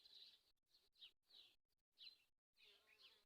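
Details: Swallow giving short bursts of high chattering twitter, each burst about half a second long and broken by brief silences, over a faint background hiss.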